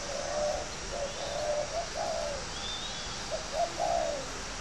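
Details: Spotted dove of the contest type, kept by a breeder at Ba Vì, Hanoi, northern Vietnam: soft low coos in linked phrases of several notes, with a faint high rising whistle from another bird in the background.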